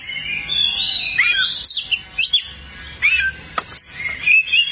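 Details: Oriental magpie-robin, called kacer, in a long-duration training recording for caged songbirds: flowing whistled phrases with downward slurs, interrupted by brief pauses and sharp clipped notes.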